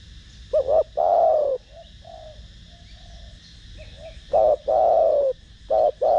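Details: Spotted dove with the Thổ Đồng voice calling to rouse other doves: a short double note and a long falling coo, repeated, faint softer coos in the gap, a new phrase starting at the end.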